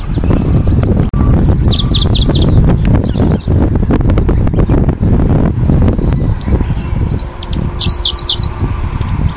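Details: Middendorff's grasshopper warbler in a Hokkaido coastal wildflower meadow, where it breeds, 2023: two brief, high chattering song phrases, one early and one near the end, half buried under heavy wind rumble.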